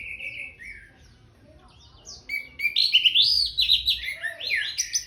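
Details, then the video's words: Song of an orange-headed thrush just after a bath, opening with a softer drawn whistle, then building into a loud, rapid jumble of bright warbled and chattering notes that tumble up and down in pitch. "Kicau anis merah abis mandi"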